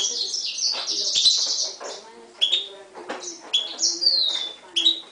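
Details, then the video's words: Himalayan goldfinch × canary mule from 2011, heard against a Timbrado canary. Bright high twittering runs and sliding whistles, with a long buzzy trill early on. Low steady tones and background sounds run underneath. "Mule 2011 Himalayan Goldfinch vs canary timbrada"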